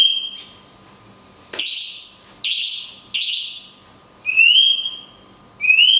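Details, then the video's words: Cungkok song of long 'kunti' shots with natural pauses, for tutoring songbirds: a thin level whistle, three loud downward-sliding notes, then two ringing, buzzy rising whistles; quiet background hum throughout. "CUNGKOK TEMBAKAN KUNTI PANJANG - JEDA ALAMI"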